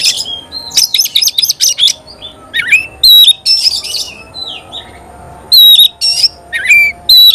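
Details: Oriental magpie-robin in full song: loud, high, varied whistles and sharp chirps, with short slurred phrases and bright rising and falling notes separated by brief pauses.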